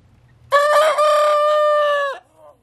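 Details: Young rooster practising one of its earliest crows: a single strong, sustained harmonic crow lasting about one and a half seconds, steady in pitch and ending with a brief drop, then a faint trailing note.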